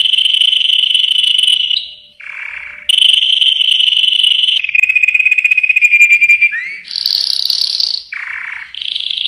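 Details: Sustained trilled song of a yellow canary, alternating smooth rolls and lower rattles, with a quick upward sweep and a bright high buzzy phrase, sung almost without break.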